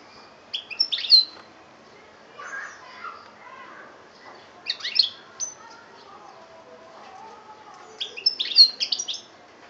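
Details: European goldfinch recorded in Algeria in 2013, giving three short bursts of high, tinkling twitters about four seconds apart, with faint lower sounds between phrases.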